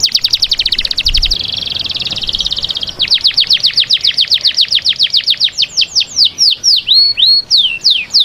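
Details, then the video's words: Canary song meant to get females ready to breed: a long high buzzy trill, then a steady run of rapid descending whistles that gradually slow into wider swooping notes. "Canto canario para la preparación de las hembras"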